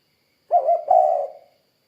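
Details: Spotted dove giving a single cooing phrase: a short double note followed by a longer, slightly rolling low coo that fades out, clean and quiet around it.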